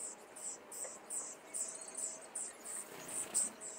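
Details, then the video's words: Young common starlings in a cage in Liepāja, Latvia, May 2024: quick, rough, very high hissing notes repeated more than twice a second with irregular timing, against low city background sound. "MĀJAS STRAZDI / Sturnus vulgaris / būrī. Jaunie putni."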